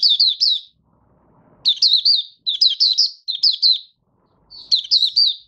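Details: Caged Malaysian Oriental white-eye (mata puteh) kept by a bird hobbyist, starting to sing while not yet in form, recorded 1 August 2023. Five bursts of quick, high, sweet twittering notes, each under a second, separated by short pauses, with faint low rustling.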